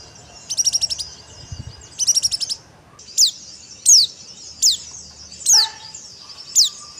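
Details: Pleci, the white-eye, singing dakbal style: two fast high stuttering trills followed by five evenly spaced sharp down-slurred whistles, a faint lower tone briefly audible behind.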